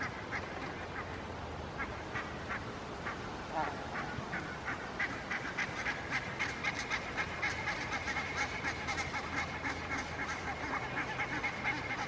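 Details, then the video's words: Barnacle geese grazing on a lawn in Helsinki, Finland, in September 2022, giving a rapid run of short, yapping, overlapping calls that grow denser and louder midway, over steady low background rumble. "Barnacle Geese grazing and vocalizing"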